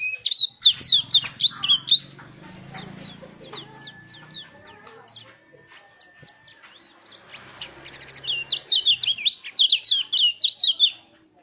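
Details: Mountain white-eye in rolling wild-style song, used to coax other white-eyes into singing. Bursts of fast, high, chattering twitters open and close the passage, with a low rumbling noise and a thin steady tone between them.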